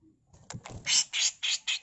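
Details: Harsh 'mbeset kasar' tutor song from a female grey-cheeked bulbul: a couple of softer clicks, then four loud, grating, buzzy notes spaced about a quarter second apart.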